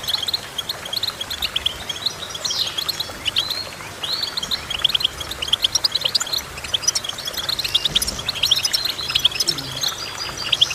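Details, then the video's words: Goldfinch song of rapid high twitters and short trills, with a sweeping note early on and steady chirping throughout. "Goldfinch Chirping"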